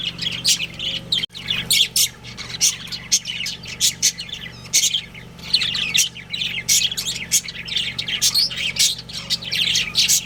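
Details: Breeding pair of budgerigars at home giving rapid high chirps and scratchy squawks, dense and irregular throughout, with a faint low mechanical hum.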